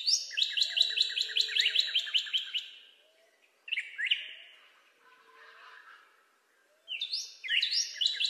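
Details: Northern cardinal song: a quick series of repeated slurred whistles ends, then a single strong downslur and a soft hissy pause follow, before a fresh burst of high-to-low whistled slurs begins.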